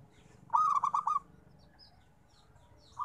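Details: Local zebra dove delivering one loud stuttered coo phrase of about six quick bubbling notes, followed by quiet and the onset of the next phrase at the end.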